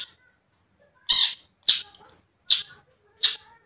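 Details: Long-tailed shrike song used to provoke a rival, heard as four loud, rasping bursts spaced under a second apart, one followed by a quick squeaky double note.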